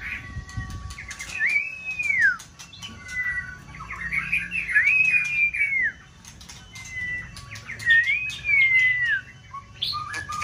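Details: Competition white-rumped shama in prime season, stimulated to sing in the multi-faceted style; clear slurred whistles that rise and then fall, repeated in three main phrases separated by short pauses, with scattered clicks.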